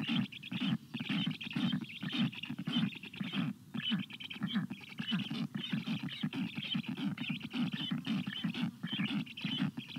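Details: Begging calls of black stork nestlings asking for water on a hot day, 25 June 2022, as an adult arrives. A steady stream of harsh, fast-pulsed rasps runs about two per second, broken by a few brief gaps.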